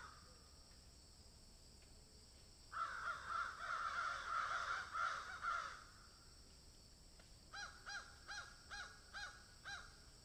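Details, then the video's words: A crow eating food calls in a dense three-second burst of rasping caws, goes quiet, then gives a series of short clipped caws spaced about half a second apart. "Crow sound"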